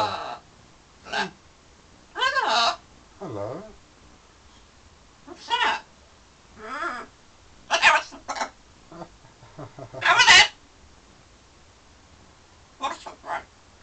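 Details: Pet parrot flirting with its reflection and birds out the window in London: loud, separate harmonic calls and squawks, several with wavering pitch sweeps, repeated irregularly with quiet gaps.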